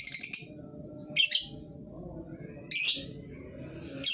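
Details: Lovebird calling as a lure so that silent lovebirds of any kind join in: separate shrill, rasping chirps every one to one and a half seconds with quiet low hum between.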